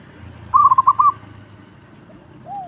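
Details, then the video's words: Local zebra dove with a loud, strong voice, kept as a lure for other doves: one rapid, rippling phrase of five clipped coos, then quiet and a single low, soft curved note. "Perkutut lokal gacor suara lantang super ampuh untuk pancingan"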